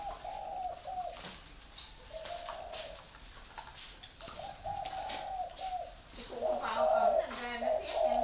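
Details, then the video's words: Farm-bred free-range spotted doves in Ba Vì, Hanoi, Vietnam, cooing in overlapping phrases of soft, throaty notes; a second, louder and lower dove joins near the end, making the cooing denser. "chim cu gáy nuôi sinh sản thả rông"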